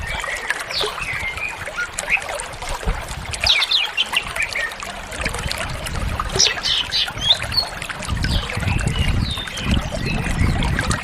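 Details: Greater green leafbird (cucak ijo) in energetic gacor full isian singing: scattered whistled slurs and sharp upward strokes over a busy background of trickling, splashing water-like noise and low rumble.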